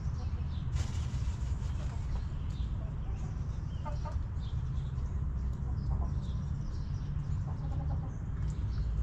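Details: Hens in a backyard coop cluck in brief clustered bursts of short throaty notes, a group near the middle and another near the end, over a constant deep droning hum.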